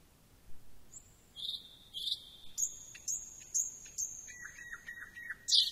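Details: Thrush nightingale singing: long pure whistles held at a steady pitch, sharp clicks, then a lower series of short repeated notes, with a quiet background hiss.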